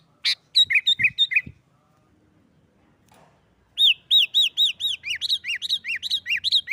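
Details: Sooty-headed bulbul in excited 'nggaruda' fighting song used to draw other bulbuls into singing: a sharp opening note and a short string of chirps, a pause, then a long, quickening run of ringing, alternating high-low chirps.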